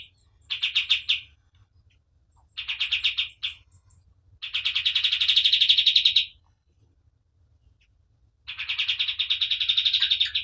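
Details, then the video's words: Lively white-eye, called kapas tembak, recorded as a master track: four separate bursts of dense, rapid chirping, the longest a sustained trill of about two seconds, divided by short silences. "KAPAS TEMBAK GACOR DOR"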